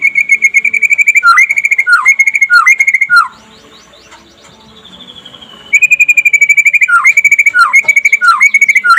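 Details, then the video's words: Rapid trotol song of a white-rumped shama, recorded by day to make other shamas sing: fast level whistled trills punctuated by falling hooked notes, a quieter stretch with soft sliding whistles, then the loud trills return. "SUARA KICAUAN BURUNG MURAI PASTOL DINLAGI HARI AGAR CEPAT GACOR"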